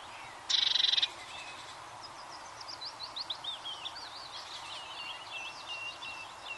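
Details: Eurasian blue tit giving a short, bright, rapid trill of high pulses lasting about half a second, followed by softer scattered twittering and chirps from other birds over a steady background hiss.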